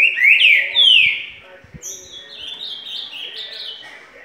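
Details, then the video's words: Green-winged saltator singing the clear curricutil liso song style: loud, rich whistled phrases sliding downward, followed by softer higher warbled notes, with a few faint clicks in the background. "CURRICUTIL liso bem top!"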